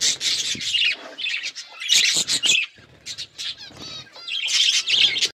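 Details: Hand-tame budgerigars as pets chatter in scratchy, high warbles and rapid chirps, pausing briefly between bursts.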